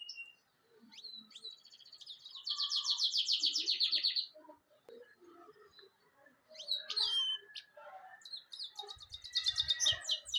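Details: Singing European goldfinch: a buzzy, rattling trill held for about two seconds, then short breaks of quieter notes before further bursts of bright, fast twittering and another dry trill near the end.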